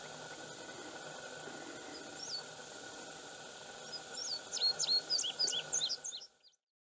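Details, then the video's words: An Indigo Bunting sings a quick run of high, sharp notes, many in pairs, lasting about two seconds. A steady insect drone and soft rushing water carry on beneath. "Indigo Bunting"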